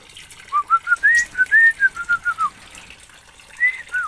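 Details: Oriental magpie-robin from Aceh, Indonesia: about ten sweet whistled notes in a fast, rising then falling string, a short silence, then two more whistles.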